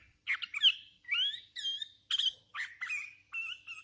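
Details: Hand-reared Sooty-headed Bulbul singing actively: a run of short, bubbly whistled phrases, some sliding up or down, delivered in quick bursts about every half second with brief gaps.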